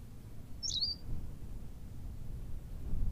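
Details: Berthelot's pipit on La Gomera in the Canary Islands gives one short, high call: a sharp squeaky note that slides down into a thin, slightly trilled whistle, over a steady low rumble of wind or surf.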